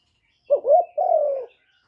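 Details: Spotted dove lure call, sung by a decoy bird to draw in other doves, recorded with no background noise: one soft low phrase of two quick hooked coos running into a longer, steady, slightly falling coo.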